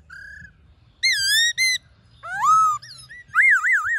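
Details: Forest song of a black-throated laughingthrush, used to excite caged birds: a short level whistle, loud swooping wavering notes, a rising slide, and a rapid zigzag trilled whistle at the end.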